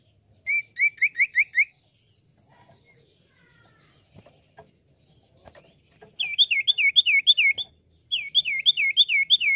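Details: Common iora song as used for luring: a run of five rapid whistled notes, a quiet gap with faint clicks, then two longer bursts of looping, wavering whistles repeated about three per second.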